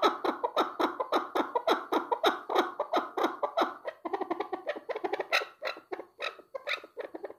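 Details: Steady, rapid chuck-chuck calling from chukar partridge. Harsh clucking notes come almost twice a second with little pause, then turn slightly thinner and more broken toward the end.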